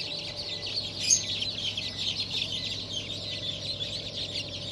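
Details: Chickens hatched 7 July 2023 (Blue, Light Brahma, Wyandotte, Sebright, Legbar); constant high-pitched peeping from many chicks, one louder chirp near the first second, soft background hum.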